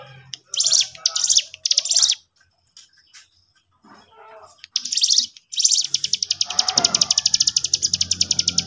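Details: Sooty-headed bulbul song used to provoke other birds. Three loud, scratchy high bursts, a few soft chirps, then more bursts that run into a rapid string of sharp ticking notes.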